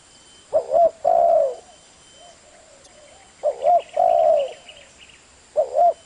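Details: Spotted dove calling clearly: low, mellow two-part coos repeated in short phrases with pauses of about two seconds between them, a faint steady hiss in the background.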